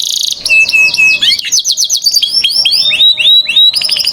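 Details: Canary song intended to coax young canaries into singing. Quick, sweeping slurred notes come in fast series, each dipping then rising, with steady rolling rhythm and a brief high buzz at the start.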